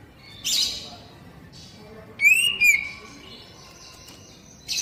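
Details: Oriental magpie-robin (kacer, poci type) singing, used to prompt caged birds into song. A scratchy rasp comes first, then a bright whistled phrase that rises and falls, with another rasp at the end.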